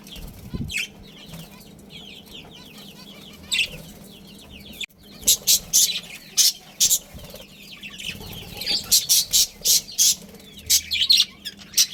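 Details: A Budgerigar breeding pair and family first warble quietly, then from five seconds break into bright, loud chirps repeated rapidly, many notes close together in the second half.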